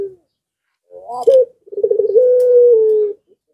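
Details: Zebra dove singing in breeding condition, setting off surrounding doves: a short rising introductory note, then a fast burst of rolling pulses that flows into a sustained steady coo, slightly falling at the end.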